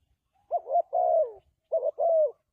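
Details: Spotted dove cooing, recorded as a lure for dove traps: two soft phrases in quick succession, each a brief broken double hoot then a sustained, downward-sliding coo. No other sounds.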